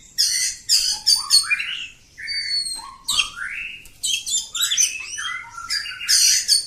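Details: Oriental magpie-robin of the kacer kampung type in long, continuous ngacor singing: high whistled notes alternate with rising sweeps from low to high and bursts of harsh, buzzy chatter, with almost no pause.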